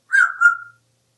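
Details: A talkative pet African grey parrot kept indoors in Texas gives a short clear whistle, a bright note that starts strong and trails off smoothly within under a second.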